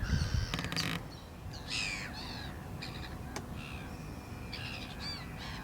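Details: Black-winged stilt giving scattered, sharp, harsh notes and short nasal bursts, with clattering knocks and wind rumble at the start.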